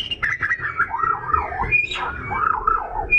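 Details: Oriental magpie-robin in vigorous song, used to provoke other birds to sing. Warbled phrases rise and fall in wavy loops, with a few high thin whistles, over a steady low rumble.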